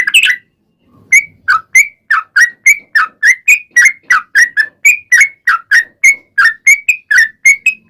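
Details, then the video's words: Yellow-vented bulbul song used as a lure so other bulbuls reply: a steady series of short, clear whistled notes, about two or three each second, varying slightly in pitch. "KICAU SUARA trucukan gacor ropel panjang pancingan trucukan agar bunyi"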